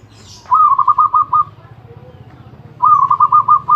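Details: Zebra dove singing without pause: two rapid trilled cooing phrases, each a run of about seven soft pulsed notes at an even mid pitch, separated by a gap of over a second with faint background hum.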